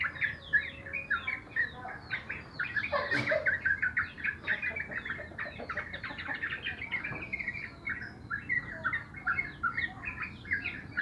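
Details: Sooty-headed bulbuls in the morning, a dense, busy chorus of short bubbly chirps and warbled notes overlapping throughout, with a brief louder burst of noise around the third second.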